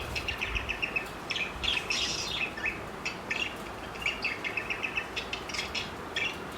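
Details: Parakeets, four birds together, flirting with soft warbling chirps and rapid twittering phrases that come in short irregular groups.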